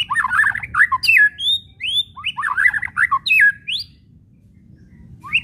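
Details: White-rumped shama chattering call (kretekan), played to make shamas sing: harsh scratchy chatter bursts interleaved with rising whistles, then quiet.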